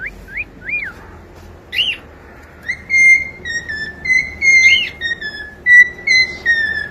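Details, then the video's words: Young pet cockatiel singing to accompany a pet bird: a few arched chirps, then longer steady whistles with slight downward bends, repeated over several seconds. "SOM DE CALOPSITA CANTANDO PARA ENTRETER E ACOMPANHAR SUA AVE"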